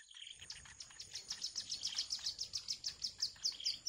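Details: Wild bittern chicks waiting for the mother to return with food: rapid, high-pitched chirps repeated about twice a second in a steady, pulsing series, with a faint constant high whine in the background.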